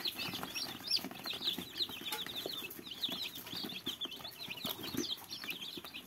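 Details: Small fluffy chicks give a constant chorus of high, quick peeps over a noisy background hiss.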